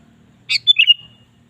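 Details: Sooty-headed bulbul in energetic singing form, played as a lure sound for kept birds: a short bubbly phrase of a sharp opening note and three quick liquid whistled notes, against a quiet background.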